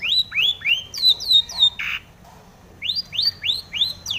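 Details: Mimicry-filled long-tailed shrike song meant to spur other shrikes into singing: rising whistled slurs in quick runs, a short rasping note, a pause, then more upswept whistles.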